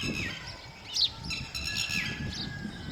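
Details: Lapwing, one of a pair protecting young not yet able to fly, gives a few short, shrill down-slurred cries, one louder note near the middle over low outdoor noise.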